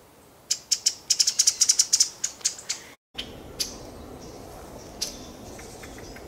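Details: Pale thrush giving a fast run of about a dozen sharp, high, clicking notes over two seconds, slowing toward the end; after a short break a few fainter scattered notes follow over a quiet background.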